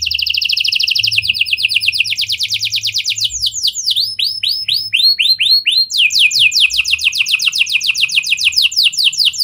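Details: Non-stop canary song in lovebird and prinia (prenjak) style, meant to draw other canaries into long singing: dense high trills give way to a run of sweeping downslurred whistles, then more rapid rolling trills.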